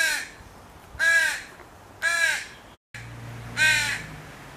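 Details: Begging fledgling crow gives four rough, down-curving caws roughly a second apart, with a brief dropout and a low steady hum in the background.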